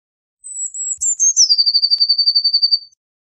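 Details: One blue tit song strophe: high drawn-out notes descending in steps, then a long, rapid, regular trill of roughly fifteen repeated notes, clean and isolated.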